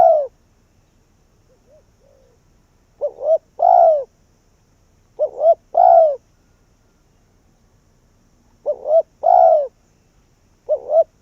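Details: A spotted dove used as a decoy to lure wild doves gives four mellow cooing phrases. Each is a quick double hoot then a drawn-out falling croo, spaced about two to three seconds apart, with a faint soft note early on.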